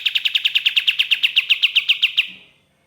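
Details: Ashy tailorbird song used as a lure for catching birds: a rapid run of sharp, identical chipping notes at a steady pitch, about sixteen in just over two seconds, then fading out in clean silence.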